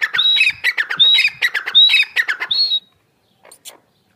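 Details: Grey francolin calling, recorded 28 March 2024: loud, harsh notes repeated rapidly, about eight in under three seconds, with rising whistled parts and a final clear whistle, then near silence with a few faint clicks.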